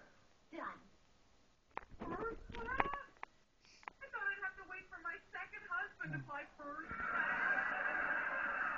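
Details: A pet monk (Quaker) parakeet in a cuddly mood chatters in short, harmonic chirps and speech-like babble, ending in a harsh, raspy squawk.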